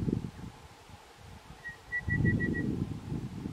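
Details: Red-browed pardalote in Sturt National Park, July 2021, giving a single piping phrase: a brief opening note, then four rapid, evenly spaced, slightly higher pips, with low rumbling background noise.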